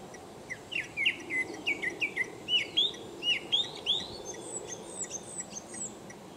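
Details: A Japanese thrush sings a lively run of clear, varied whistled notes, about three a second, mixing in imitations of Japanese bush warbler and Japanese tit over a low steady rumble.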